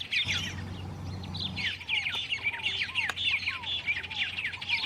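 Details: Wild white-rumped tanager song: dense run of rapid up-and-down chirped notes with lower arched whistles recurring, a low droning hum at the start, sharp clicks here and there.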